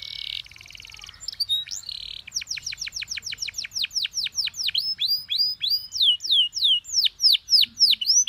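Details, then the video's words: Master-recording canary song meant for young birds to learn: a short buzzy opening, then a long, steady series of loud downslurred whistled notes repeated about three times a second, growing louder. "MASTERAN KENARI PAUD CENGKOK ENAK GAMPANG DITIRU"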